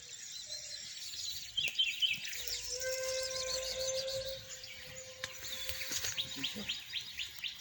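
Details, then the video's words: Wild European goldfinch chicks calling: clusters of high, quick twittering chirps from several birds, some lower harmonic notes, and a steady low tone running through the background. "فراخ الحسون (مقنين) في الطبيعة"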